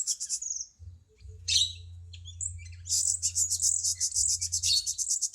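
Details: Cucak cungkok bulbul on a songbird tutoring track: a few high chirps and a harsh chip, then a long fast rattling trill of high notes lasting several seconds, over steady low hum.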